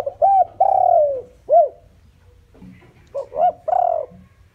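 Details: A decoy spotted dove calling to attract wild doves gives low, hollow coos: one drawn-out falling note and a brief arched hoot, then a second run of three mellow notes.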